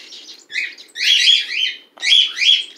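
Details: Indoor pet bird living alongside cats, with a chick born December 12th 2018; long rasping, squawky calls run together in two drawn-out phrases.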